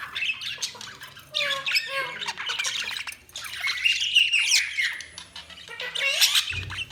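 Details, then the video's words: Budgerigar chatter: dense scratchy warbling and squawks in long runs, broken by short silent gaps, with a few clear whistled slides. "Budgies Sounds| Budgies Chirping sound"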